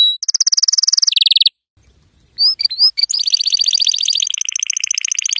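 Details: Yellow canary singing for young canaries to learn from: rapid high trills switching pitch, a short gap, upward-swept whistled notes, then a long buzzy rolling trill.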